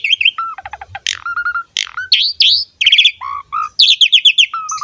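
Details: Lively Asian pied starling song meant to coax young starlings into singing: high whistles, clipped mid-pitched whistles, sharp upward sweeps and stuttering buzzy runs tumbling together quickly.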